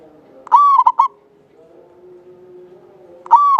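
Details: Local Javanese zebra dove, a lively singer kept as a lure bird, with a long, clear voice; a quick run of bright, slightly rising cooing notes, a pause with a low faint hum, then the phrase begins again.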